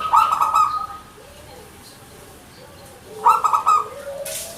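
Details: Zebra dove (perkutut), local Indonesian bird, manggung song: two short rolling trills of quick pulsed notes, each followed by a soft lower drawn-out note, then a brief hiss at the end.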